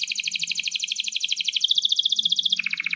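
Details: Canary in long, vigorous rolling song for training young canaries: an unbroken, very fast pulsed trill that steps down in pitch twice over three seconds, with a faint low hum beneath.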